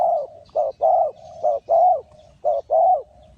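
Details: Spotted dove from Ninh Thuận, Vietnam, recorded in a bird-trapping setting: soft, hollow, low coos in paired phrases, a short note followed by a longer drawn-out one, repeated about once a second.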